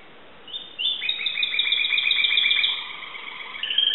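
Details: Singing Timbrado canary, Greece: a long, steady rolling trill with fine rapid pulses, shifting pitch midway and ending in a brief higher phrase.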